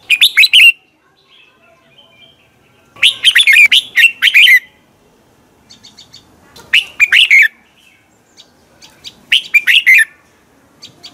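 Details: Red-whiskered bulbul singing at dawn as a training and lure call for other bulbuls: loud bursts of rapid whistled notes with dropping warbled endings, repeated several times, with softer high chips between phrases.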